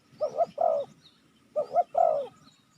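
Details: Lure call of a spotted dove meant to draw in wild doves: two paired groups of mellow, rounded coos, each pair a short note followed by a longer swelling one.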